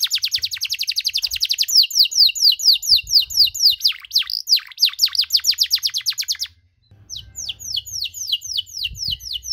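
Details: Canary in long-duration cengkok song, used to stir up rival canaries: a fast high trill, then repeated falling whistled sweeps and deeper swoops, a brief pause, then the falling notes resume.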